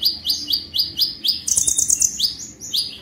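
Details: Konin singing quick high chips about twice per second, interrupted by a brief shrill rattling trill, then more sharp downward-slurred notes.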